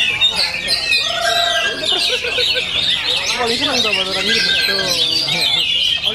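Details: Oriental magpie-robin singing hard at full power, with rapid bursts of bright chirps and slurred whistles layered over lower sliding calls and background chatter.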